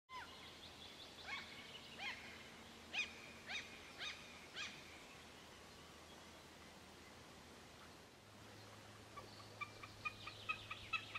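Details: A common snipe in Kontiolahti, Finland, in summer 2008 gives sharp, clipped calls about every half second, then fainter rapid ticking notes, over a low steady hum.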